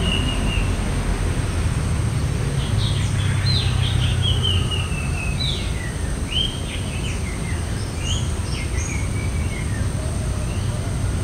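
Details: Wild common iora, one of a rare local pair, singing in a village yard in the morning: a loose string of short, high whistled notes, some slurred upward, others dropping, over heavy low rumble and thin high hiss.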